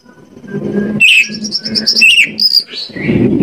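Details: Oriental magpie-robin song played as a lure to get another bird singing: after a second of low rumbling, a clear whistled phrase breaks in, followed by a couple of ringing, slurred notes.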